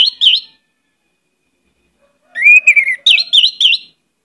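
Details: Orange-headed thrush in vigorous song rich in varied phrases, used as a lure recording: a brief whistled warble, a silent pause, then a longer run of rising, looping whistled notes around two to four kilohertz, with a faint low hum beneath.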